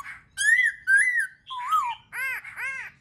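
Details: Black-throated laughingthrush singing to stimulate other birds: two clear, rising-then-falling whistled phrases, a lower wavering whistle, then two rich, arched, nasal harmonic notes in quick succession.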